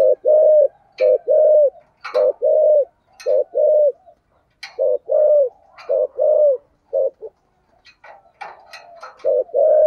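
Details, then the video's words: Decoy spotted dove cooing in the 'giọng thổ' voice style: rounded low coos in repeated two- and three-note phrases with brief gaps, accompanied by occasional sharp clicks. "chim cu gáy giọng thổ"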